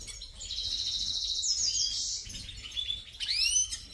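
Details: Singing European goldfinch, subspecies major: a sustained high buzzy trill that rises in pitch, followed by quick chirps and rising slurred whistles.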